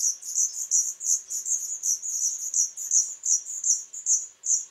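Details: Black redstart nestlings of a pair's third brood, on 21 July 2012, give very high, thin begging chirps about three per second in an unbroken run of sharp notes.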